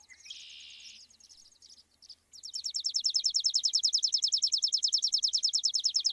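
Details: Sparrow: a buzzy harsh note and a few short chirps, then a fast steady series of bright, evenly spaced chirps repeated about three times a second against a quiet background.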